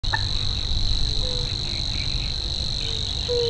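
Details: Savi's warbler singing in a reedbed: a steady, high, unbroken buzzy reeling trill lasting the whole stretch, with faint short low whistled notes and a low rumble behind.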